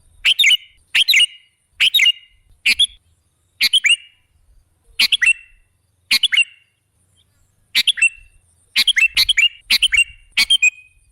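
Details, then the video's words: Sooty-headed bulbul phrases used to lure other birds: a long run of about fourteen brisk, bubbly two- or three-note chirps. Some follow in rapid pairs, others are separated by short pauses. "Suara burung KUTILANG jebakan pemikat"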